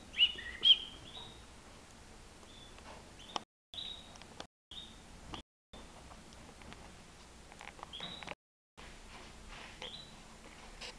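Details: European goldfinch, nine months old, flying free in a living room; a short burst of bright twittering at the start, then scattered short rising notes every second or so, with brief silent gaps and faint hum.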